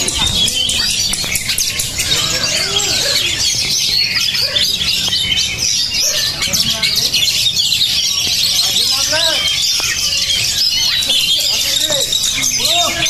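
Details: Oriental magpie-robin (kacer), described as highly spirited and tough-minded, singing a dense stream of high, rapid whistles and scratchy chattering trills inside a busy chorus of other birds, with low rumbling background noise.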